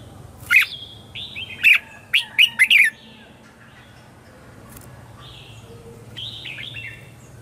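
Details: Red-whiskered bulbul morning song, used for training and luring wild birds. A quick run of five loud, bright chirped notes in the first three seconds is followed by quieter, scattered warbling phrases.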